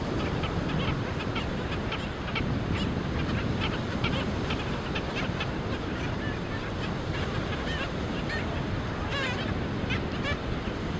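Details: Short harsh yapping notes from Black skimmer chicks in their colony, many birds calling in overlapping bursts across the recording, with a brief rapid chattering run near the end, all against constant wind and breaking waves.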